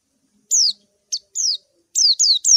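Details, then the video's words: White-eye calling a rival, giving clear high chirps that slide downward, spaced out at first and then three in rapid sequence at the end. "suara burung PLECI MANGGIL LAWAN"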